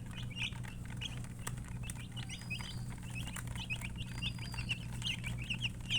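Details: Baby chickens peeping in loose bursts of short high chirps, a couple of long even whistles drifting above, a few sharp clicks, and a constant low hum.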